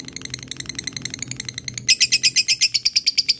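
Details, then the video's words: Fighter lovebird, described as gacor, in 'ngekek' chatter calling out to an opponent: quick thin chips at first, then a louder burst of sharp, high, evenly spaced squeaks. "lovebird fighter gacor ngekek memanggil l4w4n"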